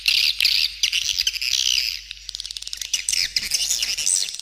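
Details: Calling sound of swiftlets meant to lure birds at feeding areas and flight paths, with stereo support sounds and some roosting calls. Rapid high twittering and harsh chirps overlap, loud at first, then dipping and rising again.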